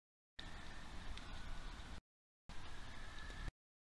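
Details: Low rumbling outdoor noise, like wind or distant traffic, with faint steady tones, broken by two stretches of complete silence; no animal voice is heard.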